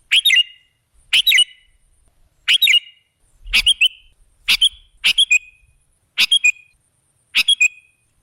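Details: Sooty-headed bulbul used as a bird-trapping lure: eight brisk phrases of two to four rapid clipped notes, delivered roughly once a second, with a soft low bump in the middle.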